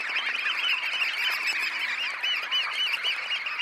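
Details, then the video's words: Red knot flock of about 20,000 birds taking off from a high tide roost, recorded close up: a dense, continuous chorus of overlapping short nasal calls, rapid and constant throughout. "Red Knot. CU Sound Of About 20,000 Birds Taking Off From High Tide Roost. Calls"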